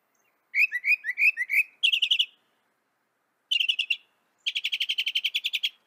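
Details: Northern mockingbird song with distinct phrase blocks: slurred chirps repeated five times, a quick stuttered burst, a pause, then a short trill and a longer fast rattling series. Nothing else is audible.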